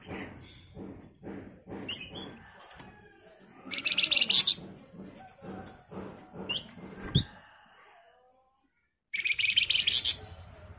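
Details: Flamboyan song used as a lure to get other birds to reply. Low knocking and scraping sounds come in between short, dense, high, buzzy trill bursts, with a silent gap before a final rapid chatter.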